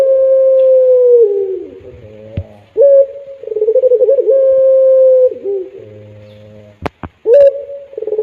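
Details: Pelung-type Barbary dove delivering its melodious cry: a sustained even coo held for seconds, dipping at the end, low gurgling purrs between phrases and a few sharp clicks near the close.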